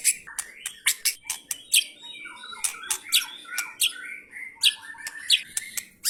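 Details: White-rumped shama, an F3-class bird, giving harsh song material: a fast string of sharp, squawky high notes and clipped whistles at an uneven pace, about one and a half per second.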